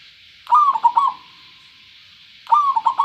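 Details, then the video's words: Local zebra dove, clear-voiced, singing one rapid phrase of soft staccato coos that starts on a higher note and steps down. The same phrase begins again two seconds later over a constant background hiss. "perkutut lokal suara jernih"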